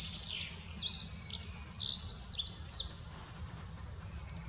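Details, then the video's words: Singing Eurasian wren, Eifel, Germany, pouring out a rapid cascade of piercing high warbles and trills that fade after about three seconds, then a new shrill phrase begins; faint low hum underneath. "Eurasian Wren singing. Zaunkönig singt."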